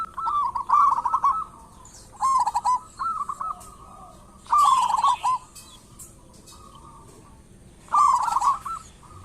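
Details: Lure recording of a vigorously singing local zebra dove: short rolling coo bursts about every two seconds, separated by soft single coos.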